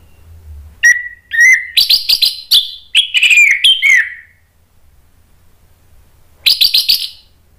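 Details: Orange-headed thrush singing energetically, used as a lure to provoke other thrushes to answer and as therapy for birds that stop singing: loud whistled phrases, some flat, some sliding, in quick bursts, then a pause and a final rapid chattering burst.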